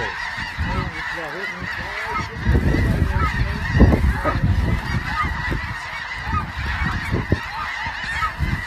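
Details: Many snow geese honking at once, a thick overlapping chorus that swells midway, accompanied by a steady low rumble.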